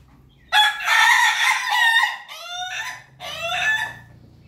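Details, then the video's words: Crowing rooster of a Pelung and Ketawa Bangkok cross, from Yogyakarta: a loud rasping opening followed by two shorter, falling, stuttering bursts separated by brief pauses. "ayam pelung ketawa bangkok persilangan ayam berkokok"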